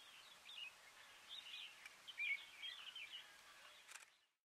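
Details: Red-vented Bulbul (Pycnonotus cafer intermedius) in Corbett National Park, India, in November, giving soft, chirpy notes in quick, scattered bursts, fairly high and thin, over a steady hiss of background noise.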